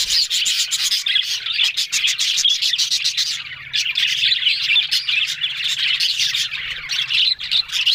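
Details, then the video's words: Budgerigars on October 1 give busy chattering: rapid clicking bursts and high warbled twitters from several birds at once, with a short quieter spell near three seconds. "Beautiful Budgerigars Talking"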